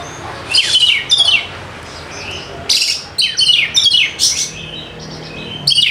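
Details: White-rumped shama song meant to trigger singing in quiet birds: repeated bursts of sharp, high, falling notes and chips, irregularly spaced.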